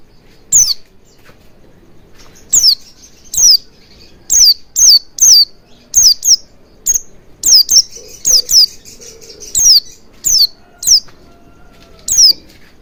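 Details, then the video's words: Oriental white-eye lure recording meant to prompt singing: sharp, thin, high-pitched downslurred chips, sometimes doubled, spaced irregularly about every half second to second over quiet background. "Pancingan Burung Pleci Agar Cepat Ngalas & Buka Paruh Maksimal"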